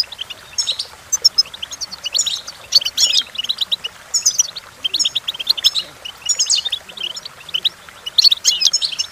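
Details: Goldfinch song as a teaching recording: energetic twittering phrases of rapid tinkling notes and buzzy jangles, delivered in bursts separated by brief, quieter chirps.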